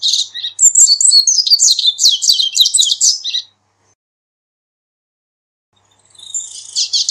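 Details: Corbatita seedeater singing, offered as a recording to teach and call birds: a fast, high twittering phrase of varied chirps and buzzy notes lasting over three seconds, then silence, then another phrase beginning.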